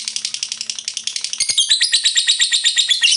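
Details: Lovebird ngekek chattering, starting as a soft rattling series and switching to louder, shrill, buzzy notes repeated rapidly and steadily.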